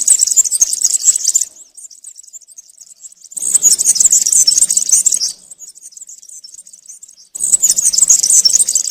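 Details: European serin singing the country style, meant for young serins to copy during moult: three bursts of rapid, high, jingling, buzzy twittering separated by quieter stretches.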